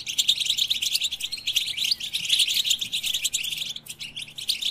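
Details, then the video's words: Rapid, tinkling song of a European goldfinch: a continuous stream of sharp high chirps and liquid trills, briefly dropping out near the end before resuming. "Goldfinch With the Best Melodies"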